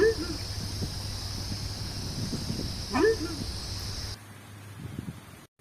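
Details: Horned screamer giving a loud, sharply rising honk, with another call at the very start, against a constant high insect drone and low background rumble.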